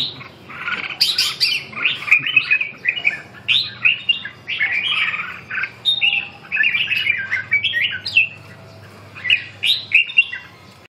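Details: Red-whiskered bulbul singing in a competition-style exchange with a bird that won fourth prize in Hai Phong: a long series of lively warbled and whistled phrases, each about a second long, repeated with short gaps over ten seconds.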